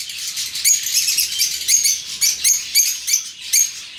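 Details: Lovebirds calling in an open aviary, with continuous high, scratchy twittering broken by sharp piercing chirps every few tenths of a second.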